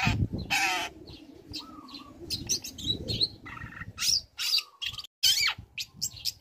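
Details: Young long-tailed shrike used as a lure to provoke other shrikes into singing, giving a varied mix of scratchy bursts, sharp high chirps and short whistled notes, with brief pauses.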